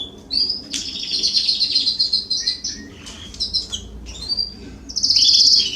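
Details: Canaries singing in a garden in September 2020: broken bursts of high, rattling trills and chirps, separated by short pauses, with a louder buzzy roll at the end.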